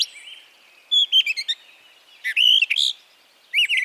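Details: A Brown Thrasher in Harvey County, Kansas, a spring arrival, sings three short bursts of bright, varied phrases, some buzzy and some whistled, high-pitched, with pauses of about a second between them.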